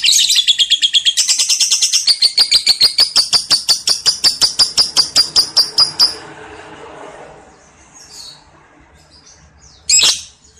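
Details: A lovebird in a clear lure recording of its long 'ngekek' trill gives a run of rapid, shrill chattering notes for six seconds, then falls quiet before one last sharp squeak.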